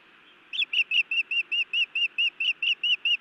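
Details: Nest-cam sound from Montana, 31 May 2017, evening: a female osprey scolding her mate, beginning after a half-second hush with a sharp note, then regular arched whistled chirps about four per second.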